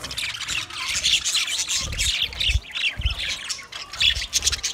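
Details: A flock of budgerigar pairs, twenty in number, squawks and chirps nonstop, scratchy high warbles overlapping, with soft low knocks now and then.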